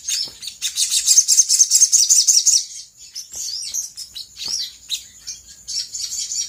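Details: Sooty-headed bulbul lure song, styled 'gacor konslet', played to prompt other birds to reply. A dense burst of shrill repeated chirps lasts about two seconds. Looser, slurred whistles with falling tails follow.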